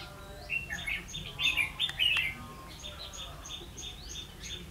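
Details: Red-whiskered bulbul used as a decoy for trapping wild bulbuls, recorded 16 October 2016; bright chirped phrases in bursts through the middle second, with a faint steady row of short repeated ticks behind.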